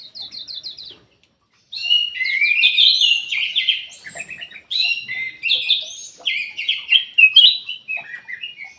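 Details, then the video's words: Ruby-throated bulbul song for prompting lazy-singing birds to sing; a quick trill of repeated notes, a pause, then a long continuous stream of varied whistled and warbled phrases. "PANCINGAN KUTILANG EMAS MALAS BUNYI"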